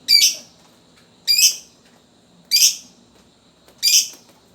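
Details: Fighter lovebird singing in the 'ngetik' style, used to coax young lovebirds to sing: four sharp, shrill chattering bursts at a steady pace of roughly one every 1.2 seconds, separated by near silence.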